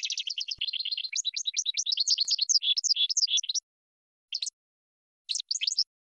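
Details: Goldfinch song offered as training material for birds: fast liquid twittering for three and a half seconds, opening with a rolling trill, then silence broken by two short bursts of sharp, high chirps.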